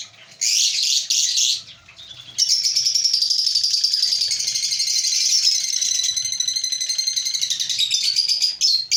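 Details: African lovebirds chattering in a breeding colony. A couple of short shrill chirps are followed by a long, fast, rapidly pulsed twittering run of high, buzzy repeated notes that keeps going almost without pause until the end.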